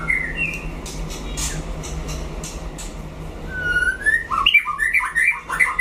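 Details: White-rumped shama in a Lửa-style solo singing duel with a rival: a few whistled notes at the start, scattered clicks and quiet hum, then a loud burst of rapid, varied whistles and trills rising and falling through the last two seconds.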